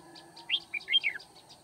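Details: Red-whiskered bulbul singing a combative duel song during bird trapping in Kim Bôi, Hòa Bình, on 9 February 2019: a short burst of loud, liquid warbled notes sweeping down and up, with softer chirps before and after.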